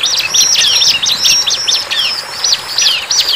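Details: Lively song from a wild bar-winged prinia: a fast cluster of high chirps and short trills, then a few spaced, arching notes near the end, shrill and clear.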